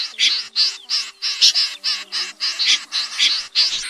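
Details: Common snipe calls played as a lure for night net trapping in August: harsh, rasping, broadband notes in a steady series, roughly ten in under four seconds, each a short scratchy burst with brief gaps between.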